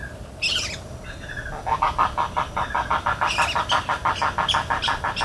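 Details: In Everglades National Park, a spoonbill gives a rhythmic series of harsh, throaty pulses, roughly four each second, after a quieter opening with scattered higher squeaks from other birds.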